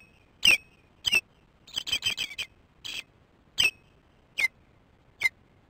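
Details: Osprey at the nest, morning, female feeding the chicks: loud, sharp downslurred whistled chirps, a fast stuttering burst in the middle, then spaced single chirps about once a second.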